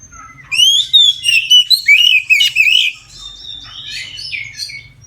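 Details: Oriental magpie-robin singing loud full song at midday, used to prompt other magpie-robins to sing: bursts of sweet rising and falling whistles with harsh buzzy notes, a rapid phrase of five or six notes, then softer varied warbling.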